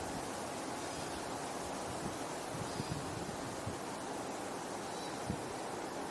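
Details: Ocean surf and wind make a continuous broad roar with occasional soft thumps, and no animal calls can be heard.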